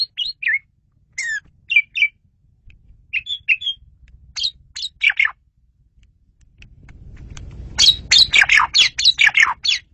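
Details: Asian pied starling song used for luring birds, described as clear and loud: varied bursts of whistled and buzzy notes, some rising or falling, in scattered phrases, then a dense rapid chattering run near the end over low rumbling.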